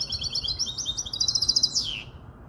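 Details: Five-month-old goldfinch hybrid, kobiya Malaga, from Casablanca, Morocco, sings a rapid run of high, bright twittering notes that quicken into a trill and end in a downward-sliding whistle. Low background hum.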